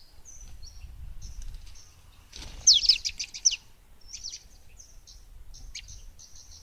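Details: Olive-backed tailorbird giving thin high chirps, with a brief burst of rapid sharp notes midway and scattered single tweets after, over a low rumbling background noise.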